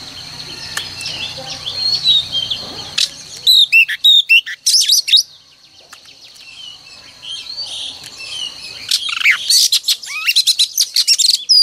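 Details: Female oriental magpie-robin song, played each morning to stimulate males to sing: soft warbling at first, then loud clipped whistled notes and sweeping phrases in quick bursts, a pause, and another run of rapid sharp notes.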